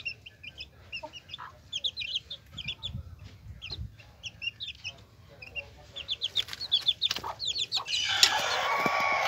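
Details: Hen with her chicks: rhythmic high chick peeps, about three or four per second, with a brief noisy rustle at the end.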